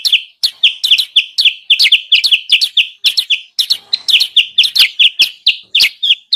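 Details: Continuous sooty-headed bulbul lure calling to attract wild birds: sharp, high chirps, single and doubled, rattled off in a steady rapid stream over six seconds without pause.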